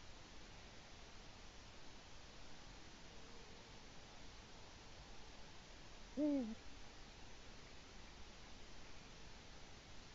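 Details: Wild Eurasian eagle-owl, a male on its Latvian nest at dawn in early March 2018, calls for its mate on a live camera: one low, downward-bending hoot amid steady background hiss.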